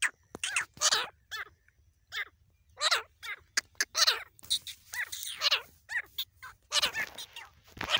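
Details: Grey francolin, male and female calling: a busy series of loud, harsh, arched notes with strong upper harmonics, repeated in quick, overlapping bursts over about eight seconds, suggesting more than one bird calling together.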